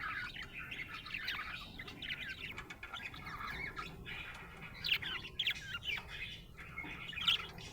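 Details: Happy budgie warbling softly at first, then adding sharper, brighter chirps and a few squeaky accents in the second half.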